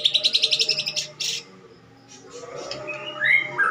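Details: Harsh fighting song of a caged greater green leafbird using sparrow imitations. It opens with about ten fast, evenly spaced buzzy chattering notes. A quieter gap follows, then rising whistled phrases at the end.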